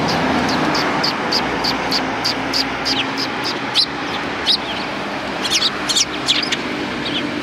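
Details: Sparrows on the front approach to a Tenmangu shrine, 12 December 2019: short high chirps repeated in quick irregular runs, growing denser near the end, over a steady background hum of traffic.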